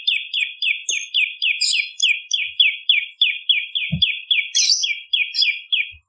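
Bar-winged prinia song: a fast, steady run of about twenty sharp, mid-high chirping notes, roughly three per second, with a few faint higher twitters and a soft thump.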